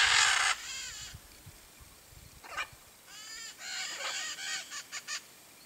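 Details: Blue-and-yellow macaw perched camouflaged in a tree in Brazil's Cerrado; opens with one loud harsh squawk, then quieter grating squawks with raspy bursts near the end.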